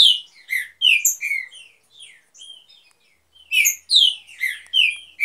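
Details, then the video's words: Green-winged saltator breeding pair in an aviary: bright whistled notes, some sliding down, sung in short phrases with a pause of about a second midway, then a fresh burst. "TRINCA DANDO SHOW NO VIVEIRO"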